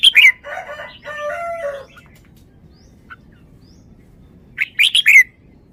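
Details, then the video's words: Red-whiskered bulbul, a caged songbird, whistles a short bright phrase, followed by a lower, buzzy warble from another bird, then a quiet gap and another four-note whistled phrase. "นกกรงหัวจุก 1038 จ้าวมาดี สำนวนดี"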